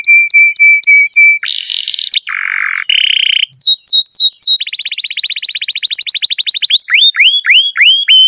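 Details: Canary in long, vigorous song used to train pet birds: clipped repeated whistles, harsh buzzy blocks, downward-sliding notes, a long rapid roll of rising chirps and more falling swoops, with a steady high hiss throughout.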